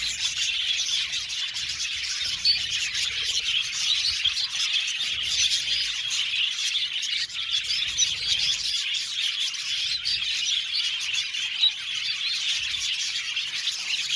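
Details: Budgerigar colony kept in an aviary, long unbroken chorus of high, rapid chirping and chattering, with occasional louder squawky notes popping out of the mass.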